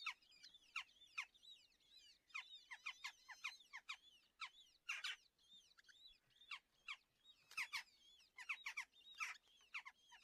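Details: Red-footed falcon chicks, two young in a nest in a natural breeding colony near Hortobágy, Polgár, Hungary, at breakfast feeding on June 21, 2024: repeated shrill, rising-falling squealing calls in rapid bursts.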